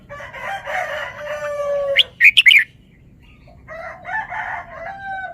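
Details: A caged red-whiskered bulbul shows off a short song phrase of three or four sharp, bright whistled notes, sandwiched between long, harsh, drawn-out lower calls from another bird.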